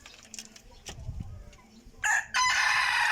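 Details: Decoy rooster, said to crow very well, begins a loud rasping crow in the last second after a quiet stretch with a low thump.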